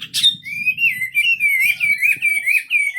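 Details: Wambi bird in full voice, a smooth wavy whistled warble held at a high pitch, opening with a sharp chirp, faint low rumble beneath.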